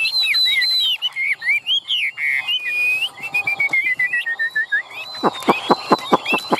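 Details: A caged, tame Chinese hwamei sings varied whistles and a long falling series of notes, followed by loud rhythmic tapping clicks.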